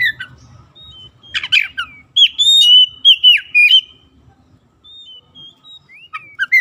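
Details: Song of a white-rumped shama meant to trigger quiet birds to sing, opening with rough rasping notes, then a run of ringing slurred whistles, a gap, and a few soft rising whistles at the end.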